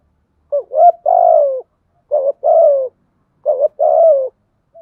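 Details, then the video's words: Spotted dove acting as a lure to provoke wild birds: three cooing phrases about a second and a half apart, each a quick double note leading into a longer coo that falls at the end. Quiet setting. "chim cu mồi thúc gù bài bản nhất hiện nay, chim cu gáy kích bổi hiệu quả nhất hiện nay"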